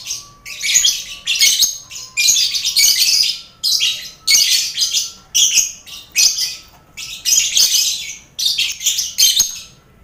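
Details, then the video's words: Colony of lovebirds housed with finches and quail for mental training before singing contests; shrill, rasping chatter bursts roughly once a second, each about half a second long, continuous through the recording over a faint steady tone. "Sound Koloni Lovebird"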